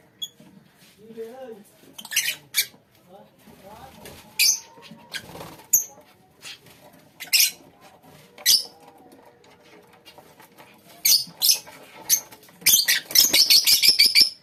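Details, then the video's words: A lovebird colony with scattered high chirps over soft rustling and shuffling sounds. The calls build into a fast, continuous chattering of many birds at the end. "lovebirds colony"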